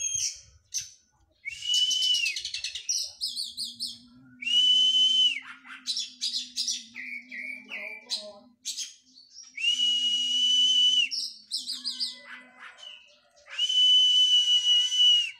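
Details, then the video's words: Oriental magpie-robin training after its moult. Long, loud, harsh sustained screeches alternate with quick rattling trills and short looping whistled phrases, repeated across the passage. A faint low hum runs beneath. "KACER PRO HYPER LATIHAN FISIK PASKA MABUNG"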